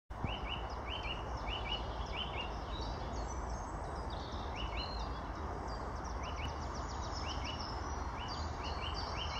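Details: A Eurasian nuthatch in birch woods at Hammarsjön, Kristianstad, on 31 March 2017 gives short, sharp upslurred notes in quick pairs and runs, with higher twittering from other small birds over low wind and distant traffic.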